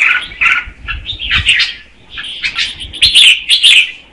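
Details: A female red-whiskered bulbul singing to stir the male: spaced warbled phrases and whistles, growing louder toward the end, over soft low knocking sounds.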